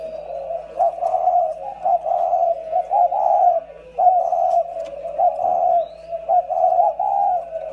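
Spotted doves cooing in low, soft, throaty phrases that swell and fade almost without pause, two birds overlapping, with a faint steady hum behind.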